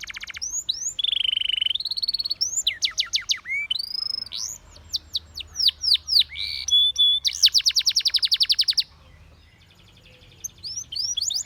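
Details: Training song of a Spanish Timbrado canary, mixing buzzy held notes, rising whistled slurs and dense rapid trills before a short quiet gap and faint closing notes.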